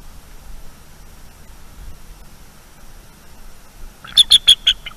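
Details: Alert eagles defending their nest from a nocturnal owl, recorded by nest camera on 23 October 2021. After four seconds of faint hum, a sudden run of four loud, evenly spaced high piping notes.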